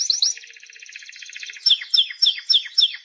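A Timbrado canary sings a fast, even rolled trill after bright opening notes, then repeats sharp descending metallic notes about three or four times a second.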